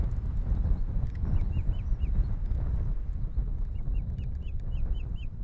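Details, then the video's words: Osprey at its nest in Estonia on an April morning, 2020: two bouts of short, high, hooked whistled chirps repeated several times a second, heard over heavy low rumbling wind or handling noise. "A typical morning on an osprey's nest"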